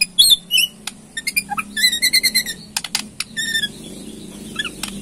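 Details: Murai Borneo, a White-rumped shama kept as a songbird in Indonesia, in a ketrekan recording used to provoke a response: mixed whistled notes, buzzy bands and sharp clicking rattles in quick irregular bursts.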